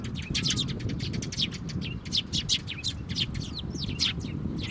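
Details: Sparrows at a Tenmangu shrine, 22 May 2024, with chicks being fed: a dense, rapid stream of high scratchy chirps, almost continuous, above a constant low background rumble.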